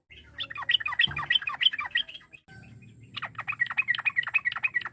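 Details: Sooty-headed bulbul song used to provoke rivals into answering: rapid series of bubbly, descending chirps and squawks, about three per second, with a short pause midway and low background hum.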